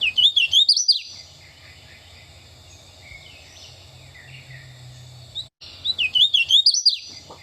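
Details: A Hooded Warbler in Eastern forest with dense understory, singing from mid to low levels, gives two loud, clear, confident whistled songs of slurred rising-and-falling notes ending emphatically, about five seconds apart, with faint distant bird calls between.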